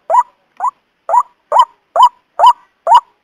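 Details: White-breasted waterhen, trapping lure call for morning and evening: seven short rising nasal notes repeated about twice a second, evenly paced, clean with no other sounds.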